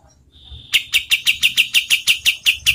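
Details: Cotton tail singing as a training song for competition birds: a thin high whistle leads into a steady run of eleven loud, sharp, evenly spaced chip notes.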